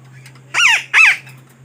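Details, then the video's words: A pair of loud, screechy parakeet squawks, each about a quarter second long, used to lure the birds for trapping; a steady low hum runs underneath. "Suara Pemikat Burung Betet"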